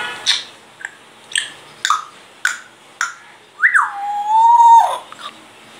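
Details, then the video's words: Grey parrot known for saying phrases and coughing, here producing a run of short sharp clicks roughly every half second, followed by a long clear whistle that drops and then holds steady before stopping abruptly. "grey parrot saying Allahaoakbar,Laillaha illala,Allaha hoo,mian mithoo,mitthu kuta,coughing..."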